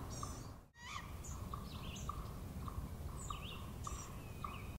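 A steady run of short, mid-pitched hoots, about three per second, from an owl, with thin higher chirps from other birds over a low rumble.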